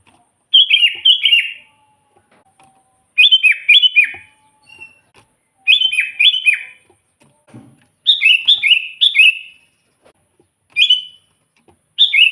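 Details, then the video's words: Sooty-headed bulbul in lively song meant to lure wild bulbuls for trapping; six short, gurgling whistled phrases with dipping notes, repeated every two seconds or so, with a faint low thump once. "suara burung kutilang gacor full buat pancingan kutilang pikat"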